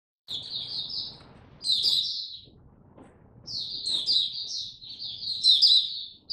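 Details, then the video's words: Caged Oriental white-eye (mata puteh) in song display, recorded 26 November 2022: high, sweet twittering phrases in bursts, with short pauses between them and faint low background rumble. "Mata Puteh Buka Sing Raja"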